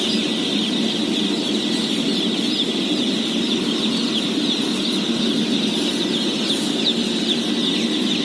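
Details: Day-old chickens, some 17,000 in a house, being fed: a dense, unbroken chorus of high shrill peeps merging into a steady wash, over a constant low rumble.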